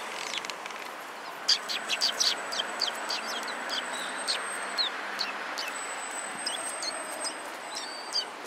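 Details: Sparrows at a Tenmangu shrine, recorded 6 December 2016: brief high chirps repeated irregularly, several in quick succession, with a thin sustained high whistle running behind them and constant background rumble.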